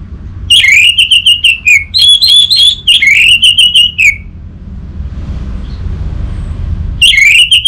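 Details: Long, loud, energetic orange-headed thrush song: rapid chains of steady whistled notes with brief breaks, falling slightly at phrase ends. A short quiet pause comes before another burst starts.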